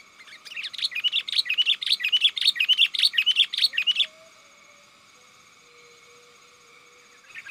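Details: Lively sooty-headed bulbul calling companions, meant to lure wild birds in forest: four seconds of fast rhythmic bubbling chirps, evenly paced, then quiet with a faint low hum.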